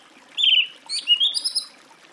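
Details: Song thrush song phrase: a sustained warbled whistle followed by a rapid run of high, sharp, chattering notes, clear against faint background hiss.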